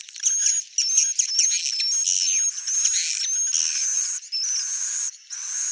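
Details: Swiftlet, recorded as the real bird: continuous shrill buzzy twittering with a thin wavering whistle above it, broken by a few short pauses.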